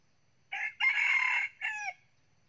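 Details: Nine-month-old red-plumaged red junglefowl rooster, a forest-trained decoy bird that crows tirelessly in the morning, gives one brisk three-part crow: short opening note, long ringing middle, clipped falling end; no other sounds.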